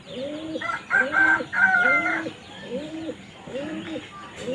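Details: Crow calling with a run of three rough, buzzy caws in quick succession, set against repeated arched, cooing-like calls of other birds that continue steadily throughout.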